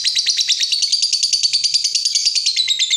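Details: Lovebird giving a long 'ngekek' chatter, used as a lure to make other lovebirds answer and sing: rapid, harsh, high chattering notes about three per second, running continuously without a break.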